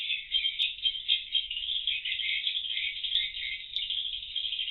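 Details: Swiftlets inside the circling room of a swiftlet house before entering the nesting room, on indoor CCTV; dense, continuous high chattering chirps merge into an unbroken rattling buzz with slight rhythmic pulsing.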